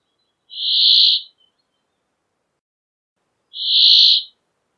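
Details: Brambling song of two long, nasal, buzzing wheezes, each lasting under a second and separated by about three seconds of silence.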